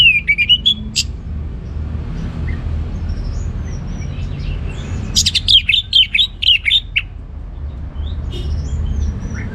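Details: Orange-headed thrush, a kept bird from northern Bali, singing in the full open 'ngeplong' style: a sharp whistled phrase at the start, then a burst of rapid, varied chirping notes after a quiet stretch with low background hum.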